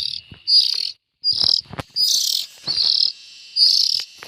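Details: Juvenile bulbuls repeat scratchy, hissing buzz notes in an irregular series, mixed with several sharp clicks and handling knocks between calls.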